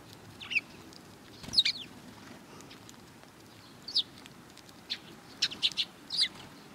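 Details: Sparrows gathering to be fed on the front approach to a Tenmangu shrine, 12 April 2020: high chirps and short twittering notes come in irregular bursts, some doubled, over quiet ambient noise.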